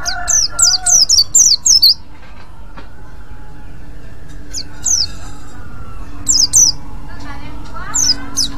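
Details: White-eye producing the ngriwik call used to lure others of its kind: a quick string of five high falling chirps, then scattered single and paired chirps, with a faint low hum and a soft tone beneath.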